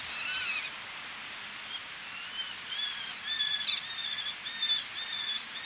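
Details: Eleonora's falcon, a male calling at close range with females calling from ledges by the sea: harsh, nasal, repeated calls in quick bursts, building to a clustered series toward the end over a steady background of sea wash.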